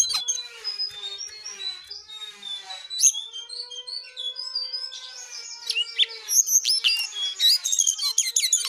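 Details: Energetic jongkangan song, opening with a series of short high whistled notes over a steady tonal hum, then breaking into dense, rapid chattering trills and squeaky phrases.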